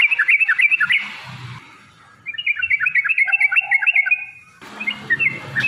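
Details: Yellow-vented bulbul (trucukan) in heated, provoking song with long rapid passages, intended as a lure. Bubbly whistled phrases come in three bursts separated by quiet gaps, notes tumbling up and down quickly, with faint low thumps.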